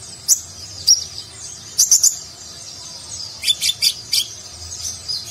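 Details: A kolibri ninja sunbird sings in nagen style for contest-bird masteran; isolated sharp high notes, then a tight burst of three, and later a run of rapid chirps.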